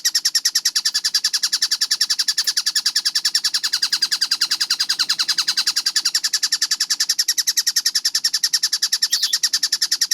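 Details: Kingfisher (tengkek buto) in a clear-voiced, fast-paced tutor recording: sharp, bright chattering notes repeated very evenly about three and a half times per second, unbroken throughout, over a clean, quiet background.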